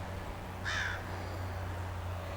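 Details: Recorded 27 October 2025 in New Hampshire, USA: a crow, one of several upset crows up in a tree near a turkey carcass, gives one short, harsh caw of about a third of a second over a steady low rumble.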